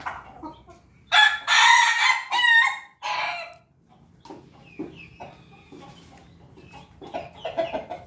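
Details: A crossbred rooster (Pelung, Ketawa and Bangkok chicken lines) in Yogyakarta gives one loud, rough crow of about two and a half seconds in several bursts, then soft clucks and quieter background calls; chicken crow.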